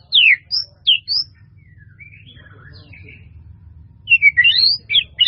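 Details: White-rumped shama giving a few sharp, high chirps and whistles at the start, then near silence over a low hum, before a final burst of tumbling high notes.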